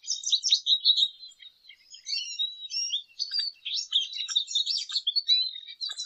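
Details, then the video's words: A lesser goldfinch pours out steady high twittering song, full of quick chips, short whistles and buzzy notes running without a break. "Jilguero Aliblanco Canto! Llamado! Sonido! - Lesser Goldfinch Song -Spinus Psaltria"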